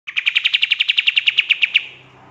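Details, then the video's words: Pied triller singing vigorously in the rapid 'tembakan' burst style, used as a tutor recording for training songbirds: a single fast trill of about fifteen sharp, evenly spaced notes over under two seconds, fading at the end. "GACORRR DORR !!!! PANCINGAN KAPAS TEMBAK FULL TEMBAKAN COCOK BUAT MASTERAN"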